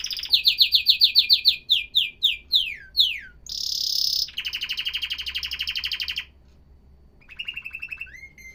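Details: Canary song: fast series of sharp whistled syllables, slower sweeping slurs, a loud harsh buzzing phrase, a long rolling trill, a short pause, then a softer rising trill ending on a flat whistle.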